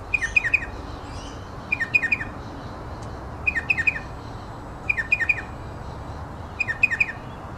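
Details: A striated pardalote of race melanocephalus gives its distinctive bright, sharp three-note "cheep cheep cheep" calls, each falling slightly, repeated about every one and a half seconds over a soft hiss of wind.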